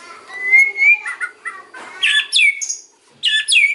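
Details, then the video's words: White-rumped shama song used for luring other birds: long steady whistle, a few lower burry notes, then loud harsh scratchy phrases and high sweeping whistles separated by a short pause, faint hum throughout. "KRETEKAN & OCEAN MURAI || MEMANCING BURUNG MURAI APAPUN LANGSUNG NYAUT"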